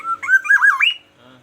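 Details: Morning song of a captive Black-naped oriole from Aceh: rich, liquid whistled phrase with wavering loops climbing to a higher final note, then quiet with faint room noise.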